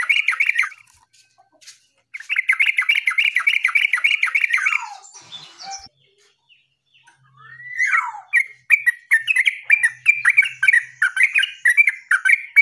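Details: Yellow-vented bulbul singing vigorously in a bout meant to outdo rivals: rapid, bubbly, chattering phrases of repeated notes, a short pause, then a hoarse slurred note and more lively warbled runs.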